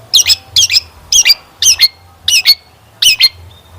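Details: Long-tailed shrike, whose energetic singing is played as a lure so that other shrikes answer and sing. It gives six harsh, buzzy double notes, high-pitched and evenly spaced about every half second, with quiet pauses between them.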